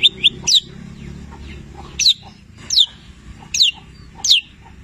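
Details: Long-tailed shrike of the Petir type in active song, filled with labet and canary mimicry. Short sharp high notes: a few quick chips, then single down-slurred whistles spaced roughly every three-quarters of a second.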